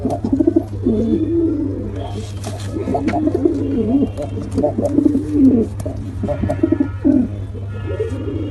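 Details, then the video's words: A dense stream of low, rolling coos from male and female pigeons, overlapping and rarely pausing, set against a constant low electrical hum. "Male & Female Pigeon Combo Attacks Sound"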